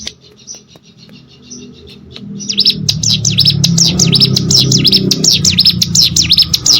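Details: Plain prinia of the rice fields: after two seconds of quiet low rumble, a fast run of sharp, high, down-and-up slurred chirps starts and repeats steadily to the end over a low background hum.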